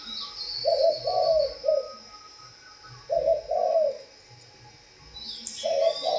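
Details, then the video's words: Captive spotted dove in Vietnam, kept by a breeder, uttering slow groups of three hollow cooing notes with long pauses between, over a high steady whine and faint low rumbling. "ĐÂY MỚI LÀ CHIM CU GÁY"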